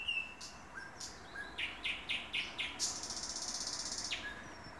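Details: Thrush nightingale singing at 3 am: a clear whistle, a series of loud knocking notes, then a fast dry rattle near the end, over a faint noise background.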